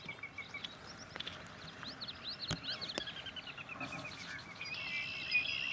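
A Sora gives its whinny, a fast run of nasal notes slipping downward in pitch over about three seconds. Scattered chirps from other marsh birds sound around it.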